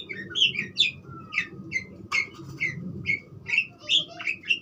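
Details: Budgerigar singing a busy chatter of short rising and falling chirps, roughly two or three notes a second, with a brief whistled slide and one sharp click, over low background hum.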